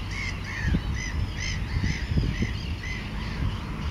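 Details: Nasal, slightly downslurred calls repeated every half second from a Mediterranean gull breeding colony on a raft at Montjean-sur-Loire, Maine-et-Loire, 3 July 2013, with black-headed gulls, common terns and many chicks; low knocks beneath.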